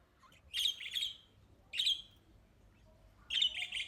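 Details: Budgerigar calls: three bursts of harsh, buzzy chirps with a bright, scratchy edge, each about half a second long, spaced roughly one to one and a half seconds apart against a quiet background.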